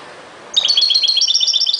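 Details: European goldfinch, ghoroub song style: a loud, rapid stream of high tinkling and twittering notes that begins suddenly and continues steadily.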